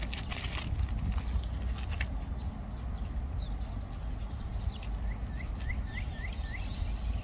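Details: Eurasian tree sparrow at Olympic Park: after a few seconds of steady low rumbling background noise, a quick run of about six short rising chirps follows, each slurring upward, with fainter higher twitters at the end.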